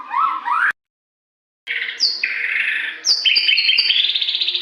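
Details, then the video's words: White-rumped shama in full morning song for training caged birds: two quick rising whistles, a gap of silence, then a sharp high whistle, a broad buzzy phrase and a rapidly pulsing high trill. "SUARA LANTANG AMPUH MERANGSANG MURAI CEPAT GACOR"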